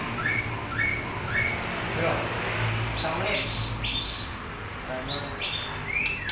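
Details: Long-tailed white-rumped shama of the Medan type in full, vigorous song packed with varied fill-in phrases, used as a lure to make other birds answer: short clear whistled notes and sweeping upslurs, repeated irregularly over a low hum and muffled background noise.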